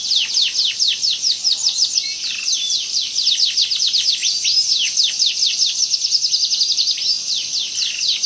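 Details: Canary singing actively with a long, sharp rolling song: continuous rapid trills of descending high notes repeated without pause for the whole stretch, bright and even in loudness, no other clear sounds.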